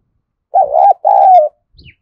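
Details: Spotted dove giving a vigorous calling coo meant to spur newly caught birds into cooing: two loud, low, hollow phrases of about half a second each, the first wavering, the second a steady drawn-out coo, with a brief faint sound after.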